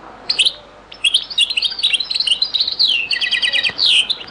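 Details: European goldfinch singing the Beni Messous 'les avocats' (zaboka) song style from Algeria, a very old recording: rapid twittering phrases of bright, tinkling notes with buzzy trills and quick rising and falling slurs, short pauses between bursts.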